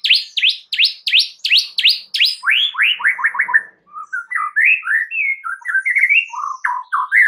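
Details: White-rumped shama lure song for provoking other shamas to respond: a fast series of loud downslurred whistles, then quick descending notes, then a varied run of rising, warbling phrases at lower pitch.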